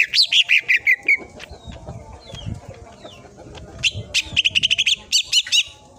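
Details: Cucak ijo (leafbird) in a masteran training recording with full tembakan bursts: rapid high, sharp chirped and whistled notes in quick runs at the start and again near the end, with a low rumbling background between.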